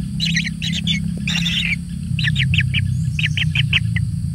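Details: Kingfisher chick being given lots of food, uttering quick series of short, sharp, rasping notes in clusters of three or four, repeated steadily, over a steady low engine-like hum.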